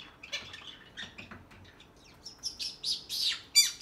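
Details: Pet green-cheeked conure peeping indoors: soft scattered chirps at first, then a run of louder high, shrill peeps and squawks in quick succession over the final second and a half.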